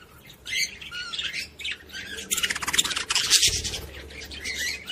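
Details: Budgerigar warbling to stimulate females to mate; a dense stream of rapid chirps, squawks and scratchy chatter that grows louder and busier toward the middle.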